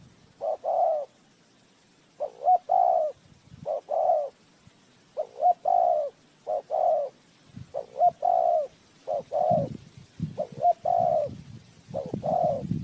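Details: Spotted dove used as a decoy to lure wild doves into a trap: about ten cooing phrases in thirteen seconds, each a short note and then a longer, mellow, slightly falling coo. Faint rustling underneath.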